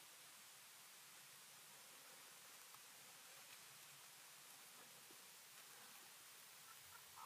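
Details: Only a faint, steady high hiss is heard, with no distinct animal calls.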